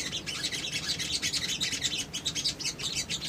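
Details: Rapid, harsh high chattering from a male little spiderhunter used as a lure, steady pulsing bursts of squeaky chips throughout.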